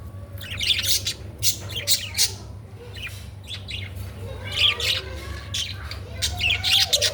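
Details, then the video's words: Budgerigars chatter in quick, scratchy chirps and squawks, coming in bursts several times a second, over a steady low indoor hum. "The chirping of birds.# বদ্রি পাখি"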